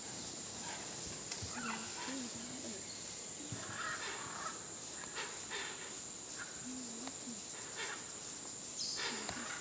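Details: Hoatzin at Tambopata National Reserve, Peru, in 2014, giving low, hoarse, wavering calls every few seconds, over a steady high insect drone and forest noise.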